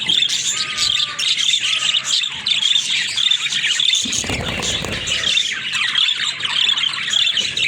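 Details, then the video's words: Several pet budgerigars keep up steady high warbling chatter with repeated squeaky notes, while a low rumbling, fluttering noise rises briefly partway through. "Funny Talking Budgies"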